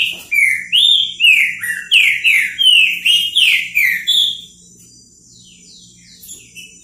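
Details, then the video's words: Green-winged saltator, known as trinca-ferro, singing a repeating 'repetidor' style song: a rapid series of loud, slurred whistled phrases, each falling or rising, about a dozen in four seconds, then near silence with faint chirps. "TRINCA FERRO REPETIDOR BICO FOGO"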